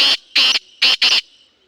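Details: Black francolin calling: four harsh, grating bursts in quick succession, the first short, then a longer one, then two close together near the end, each rasping and broad with a bright upper edge, in otherwise quiet surroundings.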